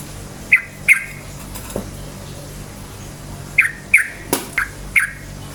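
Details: Yellow-vented bulbul, singing in lively form, used to provoke other bulbuls to sing: short bubbly notes near mid pitch, two at the start and four more after a pause, over a steady low hum.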